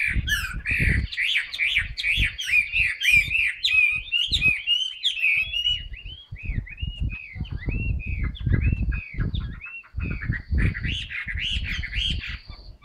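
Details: Chinese hwamei kept in a cage, fresh plumage, delivering a long sustained song while spreading its tail: a continuous run of loud looping whistles, rising and falling in quick succession, with dull knocking in the background.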